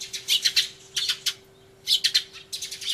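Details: Sparrows crying loudly in a commotion, recorded 24 March 2013 on an Everio camcorder with a turtledove nearby: bursts of sharp, high chirps in quick clusters, pausing briefly between outbursts, with a faint steady low hum beneath.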